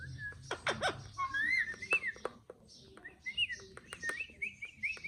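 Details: Pet green parrot talking nonstop, with a run of short whistled and chirped syllables, some sliding up and down in pitch, mixed with clicks and sharp squeaks over about five seconds.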